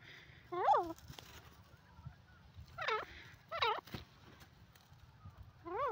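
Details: Grey francolin (Ortygornis pondicerianus), call.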